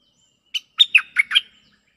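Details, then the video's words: A Cream-vented bulbul gives a brief burst of five bright, chirpy bubbling notes over about one second, answering a resident bird in a decoy-call exchange, against an otherwise quiet background. "เสียงต่อนกดอกแตงEp.144 โต้คารมกับเจ้าถิ่น"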